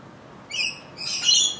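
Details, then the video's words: Australian Rainbow Lorikeets giving two short, harsh, high screeches, the second longer and more grating, in a quiet setting. "Australian Rainbow Lorikeets"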